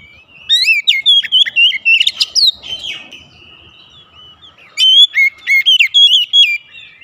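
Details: Oriental magpie-robin morning song made of two long phrases of fast, fluty whistles that jump between high and lower notes, separated by roughly two seconds of quiet.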